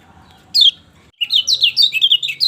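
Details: Lemon-bellied white-eye song meant to coax a silent bird into singing: one sharp high note, a brief hush, then a rapid chattering string of bright rising and falling chirps over a faint low hum.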